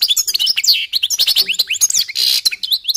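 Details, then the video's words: Continuous, fast European goldfinch song while the birds warm up: tinkling, liquid twitters, sweeping slurred notes and a brief buzzy rasp, packed tightly throughout. "jilgueros calentando motores"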